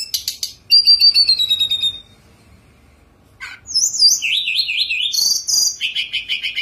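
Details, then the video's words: Sunda robin (tledekan gunung) singing while kept in a cage: thin, high whistles and a long falling note, then after a short pause a quick run of varied, warbling high phrases. "Tledekan Gunung Gacor"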